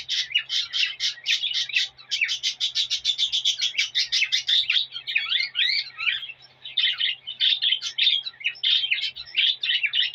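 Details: Courting male cockatiel warbling to a hen to prompt mating: a fast, dense stream of high chirps gives way midway to twisting whistled notes, then returns to quick chattering.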